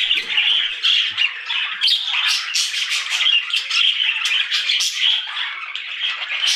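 Budgerigars chatter nonstop in a bright, scratchy warble of squawks and chirps.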